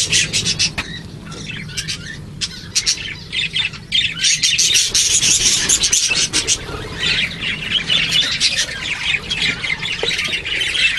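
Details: Several parakeet hatchlings calling for food: overlapping scratchy, buzzy squawks in rapid uneven bursts, high-pitched and nearly unbroken, with short quieter dips between surges and a soft low background hum.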